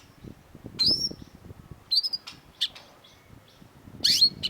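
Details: Long-tailed shrike song used as a master recording for training cage birds: sharp high whistled notes and short bursts in separated phrases, with quiet low rumbling background.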